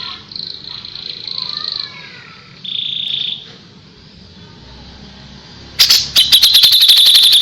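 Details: Kapas tembak song used to tutor white-rumped shamas: steady high whistled notes held for a second or more, then a loud, rapid, piercing trill of repeated notes that carries through to the end.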